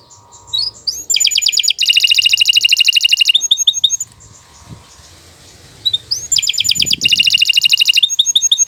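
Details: A canary sings in two loud bursts, long song used to tutor young birds. Each burst is a dense, rattling, buzzy trill with chattering notes, separated by a few seconds of quiet with faint background hum.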